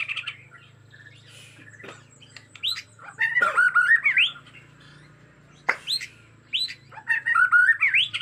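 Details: Bornean white-rumped shama, agitated, with forest sound: bursts of squawky notes and rapid warbled whistles, separated by sharp clicks, over a low steady hum.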